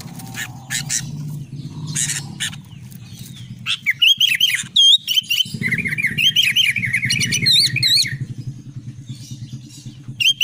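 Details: Albino sooty-headed bulbul singing energetically, delivering a dense run of chattering, warbled phrases of looping whistled notes, with thin high accents and scattered clicks, over a constant low humming background.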